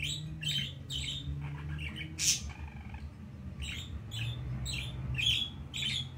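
A budgerigar gives short, scratchy chirps and squawks in quick bursts over a low indoor hum.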